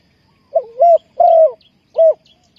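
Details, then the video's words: Spotted dove calling as a lure for trapping wild doves, giving one phrase of soft cooing notes: a short rising note, a long mellow coo and a final shorter coo. Thin, high bird chirps sound in the distance. "นกเขาใหญ่สายต่อดิน,Tekukur pikat,Cu gáy Ninh Thuận,Sound Of dove"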